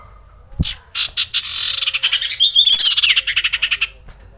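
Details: Male common iora, excited and ready to mate, recorded as a lure for silent birds: loud, rapid chattering of harsh notes at about four per second, running for three seconds with a brief buzzy warble in the middle.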